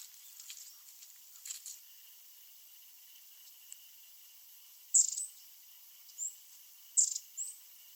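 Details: Long-tailed tit (Shima-enaga) flying restlessly around; soft, scattered high notes at first, then three loud, thin, very high calls, each about a second apart, some with a buzzy trailing edge.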